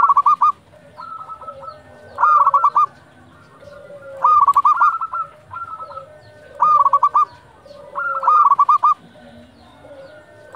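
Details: Zebra doves calling at dusk, used to stir up and train other doves; clear phrases of rapid bubbling coos return roughly every two seconds, with distant doves answering between them.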